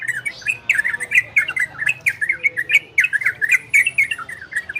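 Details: Orange-spotted bulbul singing ropel and garudo, to stimulate breeding condition in birds that listen: a continuous string of loud, somewhat harsh chirps and slurred notes, several per second throughout.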